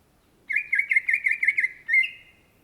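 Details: Greater green leafbird, known locally as cucak ijo, singing persistently (gacor): a run of about nine short, rich whistled notes near one pitch in quick succession, then a longer, slightly higher drawn-out whistle; quiet background.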